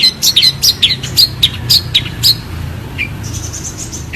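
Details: Long-tailed shrike (cendet) song used for training other songbirds: a run of sharp, high chirped notes in quick irregular succession, followed by a few scattered whistled notes and a brief rising note near the end, with low background hum.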